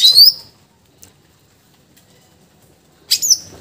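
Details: Greater green leafbird delivering loud, varied song: a bright rising-and-falling whistled phrase, a long silence, then a sharp burst of high whistled and buzzy notes.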